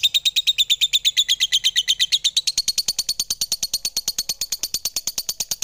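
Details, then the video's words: Shrill, fast-pulsing lovebird chatter, a continuous run of quick high chirps with a slight rise and wavering in pitch over its first half. "Suara Merdu Burung lovebird"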